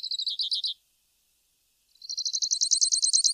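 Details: Grassland Yellow-Finch (Sicalis luteola) singing a rapid series of high, buzzy, repeated notes: a short burst, a pause, then a longer rising trill.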